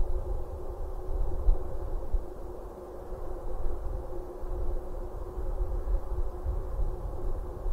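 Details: Low, fluctuating rumble of wind or distant traffic throughout, with no animal voice.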